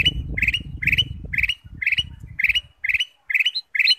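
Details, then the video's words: A Ruby-throated bulbul's lure song, meant to set other birds singing, gives a steady run of short, bright chirped phrases about two a second over low rumbling noise that fades midway. "pancingan kutilang emas"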